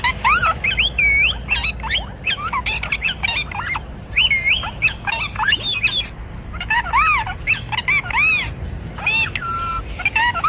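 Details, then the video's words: Parrot giving a long sequence of squawks, arched whistles and a held flat tone, delivered in irregular bursts over about ten seconds in a natural setting. "talking parrot Natural 🦜 sound"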